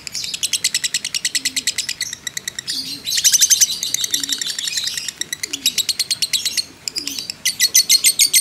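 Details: Emotional long ngekek from a fighter lovebird, meant as a lure: rapid high buzzy chirp trains broken by short pauses, with faint low cooing notes repeating in the background.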